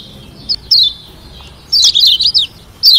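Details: Kecial kuning from Lombok, a white-eye, singing to goad rivals into responding: a few thin high notes, then a lively half-second burst of rapid, chattering whistled notes and a final slurred note.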